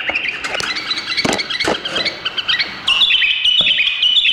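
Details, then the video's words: Indonesian bulbul with rapid chattering, scratchy notes, then a bright warbled whistle that rises and falls in the second half. "بلابل بو فارس 20 BULBUL"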